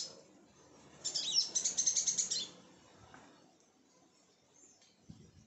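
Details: Sunbird at a home, producing one fast, high, metallic trill of tightly repeated notes lasting about a second and a half, then quiet background with a faint thump near the end.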